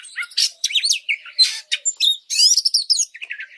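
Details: Oriental magpie-robin song used to train and provoke other birds: loud whistled upslurs and downslurs mixed with harsh, noisy bursts and a fast buzzy trill, in quick succession.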